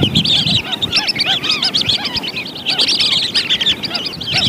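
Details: Lesser whistling ducks in a trapping lure recording: loud, dense flock of high, clipped, whistled notes repeated rapidly and overlapping throughout, with softer lower chattering beneath.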